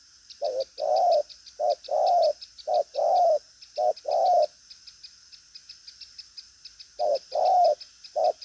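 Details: Spotted dove of the 'đồng pha chân cua' variety, firm coo, busy temperament, pushing coos with a trailing end: rapid low coo pairs, a pause of about two seconds, then further pairs, set against constant pulsing insect buzz.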